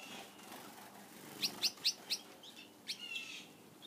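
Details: Pet Gouldian finches feeding on a favoured food: four quick, high, sharp chirps in under a second, followed by a few softer notes against light background noise.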